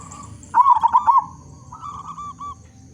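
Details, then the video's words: Zebra dove, local type with a powerful voice, serving as a lure to set other zebra doves singing: one loud, rapid, undulating coo burst, followed by a fainter, smoother cooing reply. "Perkutut Lokal Gacor Suara Besar Cocok Untuk Pancingan Semua Jenis Burung Perkutut Agar Bunyi"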